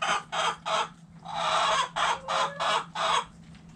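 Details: Hen in a backyard chicken coop clucking in short, loud, harsh bursts: three quick clucks, a longer drawn-out squawk, then four more clucks. A faint low hum runs beneath.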